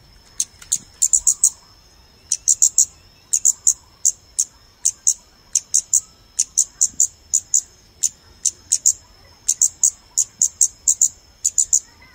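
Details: Scarlet-backed flowerpecker calls played to attract birds for photographing: rapid clusters of dry, very high ticks, three to five per burst, separated by brief pauses, with a steady faint high-pitched tone throughout.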